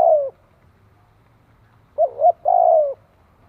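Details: Spotted dove, known locally as cu gáy, giving a low coo that fades downward. After a pause comes a wavering double note and then a long, steady, slightly falling coo. The background is quiet.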